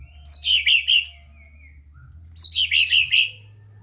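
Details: White-rumped shama singing actively with full fill-ins, a recording meant to prompt lazy or unexcited shamas into song: two short bursts of three or four bright, clipped notes with a quiet gap between them.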